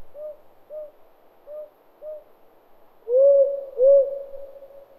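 Soft, low owl hoots, four faint short notes about half a second apart, then two louder, drawn-out hoots that swell and fade.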